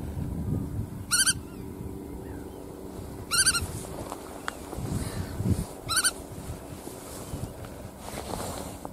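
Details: Black-tailed godwit calling three times at roughly two-second intervals, each call short, nasal and slightly arched, with low rumbling background noise and faint other sounds between.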